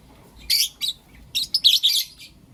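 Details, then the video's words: Lovebirds in blue opaline and lutino opaline colours calling in the morning: sharp, piercing high chirps delivered in short bursts, about six notes in quick succession. "Lovebird Chirping Sounds and Call Sounds From Blue Opaline & Lutino Opaline"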